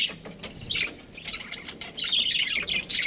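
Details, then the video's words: Budgerigar breeding pair giving scattered scratchy chirps and short squawks, quieter at first, then a louder burst of buzzy chatter in the final second. "Amazing budgie chirping sounds | budgies breeding pair"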